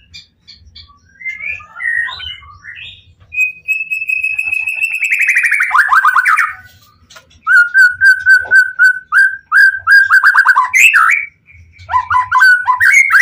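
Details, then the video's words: White-rumped shama in full aggressive song, used to provoke other shamas into answering: varied loud phrases with a long sliding whistle, rapid repeated clear notes, and sharp chattering bursts, with faint low thumps beneath. "Murai Batu Pastol PTRK BF full emosi ... pancingan murai lain bakalan nyautt.."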